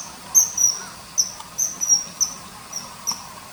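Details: Common kingfisher calling along a river, loud thin high whistles in uneven clusters, some drawn-out and slurred, over quiet steady hiss.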